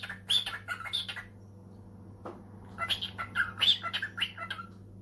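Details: Household cockatiel answering a phone call with harsh chirps and short squawks in two clusters separated by a pause, a steady low hum underneath.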